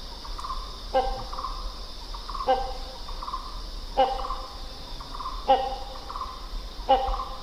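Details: Hornbill calling with short, harsh, harmonic notes repeated about every one and a half seconds, each followed by a softer trailing note, over a steady high insect drone.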